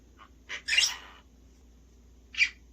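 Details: A pet parrot, one of two practising words like "nice to meet you" and "good" with its owner one morning after eating corn, gives four short, high chirping bursts: three close together, then one more about a second and a half later.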